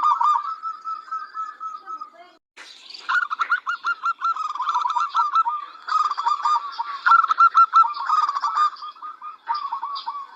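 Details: Local zebra dove in full song, used as a tutor recording for other birds: rapid bursts of low pulsed cooing trills repeated again and again, with fainter high chattering of other birds behind.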